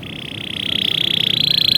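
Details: Canary tutor song for training young birds: a single fast, even rolling trill, steadily growing louder and rising slightly in pitch over almost two seconds.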